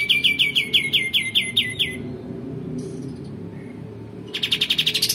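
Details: Captive-style training recording of a lively male olive-winged bulbul: a quick run of repeated downslurred notes lasting two seconds, near silence with faint high notes, then another rapid rising-and-falling rattle.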